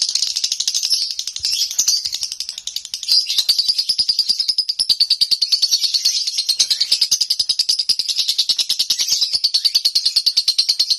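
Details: Home lovebird in konslet singing: a sustained, unbroken run of rapid, high, buzzy chirps, around three per second, holding an even pace throughout.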